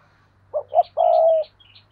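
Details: Decoy spotted dove in 2022 calling once: two short rising coos and a long steady coo, with faint higher chirps above from other small birds.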